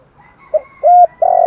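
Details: Spotted dove giving a thúc gù calling coo: a soft short note, then a louder steady hooting coo and a long level coo cut off at the end.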